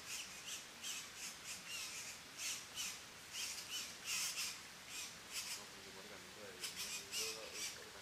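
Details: Three red-bellied grackle chicks at their nest in La Romera reserve, Sabaneta, Antioquia, Colombia, 2012, being fed; rasping high begging bursts repeat roughly twice a second, with a low murmuring voice near the end.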